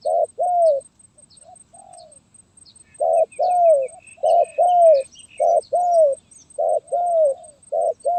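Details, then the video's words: Terkukur, the zebra dove, singing Gagap Tindan (Sepatah) style on 23 January 2022. Paired short and long arched coos repeat after an opening phrase and a pause, with faint bird chirps between phrases. "Burung Terkukur Gagap Tindan (Sepatah)"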